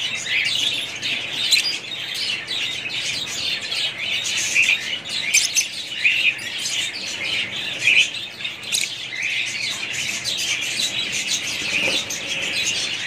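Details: Chattering budgerigar parrots from one family group fill the air with jumbled high tweets, clicks and scratchy warbles, with several clearer whistled chirps in the middle section.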